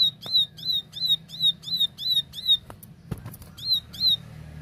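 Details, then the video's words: Plain prinia in clear 'tembakan' song: a steady series of sharp, high chipping notes about three per second, interrupted midway by a knock or clattering sound, then resuming over a low hum. "Tembakan Gacor Jernih Ciblek sawah"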